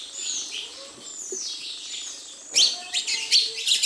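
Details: Sparrows at a house, with soft high thin twittering for two and a half seconds, then a burst of loud, sharp, overlapping chirps in quick succession.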